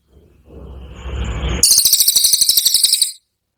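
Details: Brown cililin song as a training recording, the rapid burst style: after a low rumbling noise, a dry, very fast stuttering trill of high buzzy pulses runs for about a second and a half, then stops abruptly.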